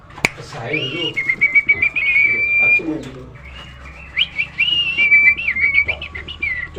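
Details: Nias hill myna, tame and in full song, recorded for training other birds: bursts of ringing whistles, some held steady and some bending, broken by quick chattering notes and brief pauses.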